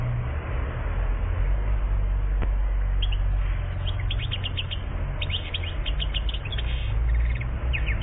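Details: European goldfinch, one year old, Algeria, 2014: after three quiet seconds, bursts of quick high chirps and twitters start and run in clusters to the end over a constant loud low rumble.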